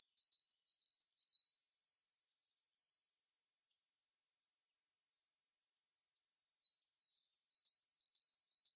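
A bird sings a run of high, thin, chirping notes at about three per second, falls quiet for several seconds, then resumes the same quick series.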